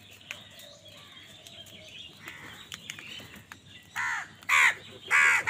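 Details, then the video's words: Crow in an angry squabble with wild birds over food. After four seconds of faint chatter and rustling, three loud, rasping caws follow in quick succession. "Angry kawa ki awaaz"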